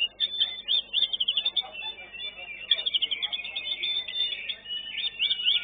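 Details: White-rumped shama competing in a young-bird class at a singing contest, where it placed fourth; a dense, rapid stream of high chirps and trilled phrases, continuous with short pauses, possibly overlapping other singers.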